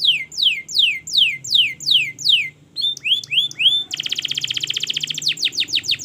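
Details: Training song of a long-singing canary: descending slurred whistles about three per second, short upswept notes, then a fast even buzzy trill.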